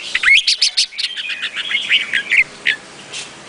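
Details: Red-whiskered bulbul giving a chattering string of short, bright chirps and slurred whistles that gradually slows, ending in one or two isolated clear notes.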